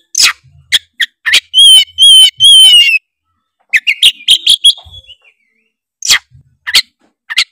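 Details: Oriental magpie-robin (kacer) singing as a lure to set off other magpie-robins: sharp clicks, three strong harmonic whistles, a fast burst of varied notes, then scattered short harsh notes.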